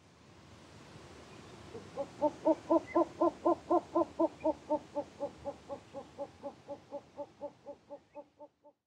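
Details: Male short-eared owl in the British Isles giving its territorial, mate-calling song: a long series of low, hollow hoots, about four per second, fading gradually over seven seconds.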